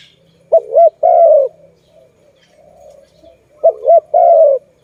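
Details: Zebra dove repeats its call about every three seconds: two clipped bouncing notes, then a longer sliding coo, over soft background cooing.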